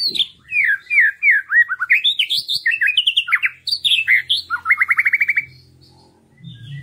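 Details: White-rumped shama song used as a lure to stir reluctant birds into singing: a rich run of varied whistled phrases, slurred up and down notes, then a fast buzzy trill of even repeated notes, ending in quiet.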